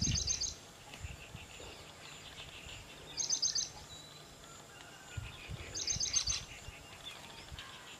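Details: Brahminy starling, also called brahminy myna, feeding on custard apple in a custard apple tree; three short, dense, buzzy high chattering bursts at the start, near three seconds and near six seconds, with faint scattered chirps of other birds and a low rumble.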